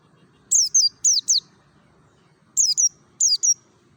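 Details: Mountain white-eye (Merapi type) singing in the ngalas style: very high, thin slurred notes falling in quick pairs and triplets, two bursts near the start, a pause, then two more bursts near the end; faint low rumble behind.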